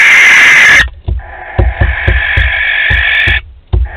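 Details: A short hiss gives way to a longer rasping one from barn owls at a Théding nest box, 12 May 2020, while repeated light taps and knocks sound throughout.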